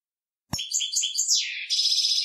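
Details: Male European goldfinch singing to tutor young goldfinches, opening with a sharp knock, then bubbly twittered notes, a descending slur and a sustained high buzzy trill.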